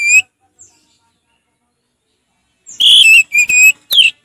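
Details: Orange-headed thrush, a kept songbird, in relaxed song; a brief note, a long pause, then a burst of three loud high whistled notes with a falling final note.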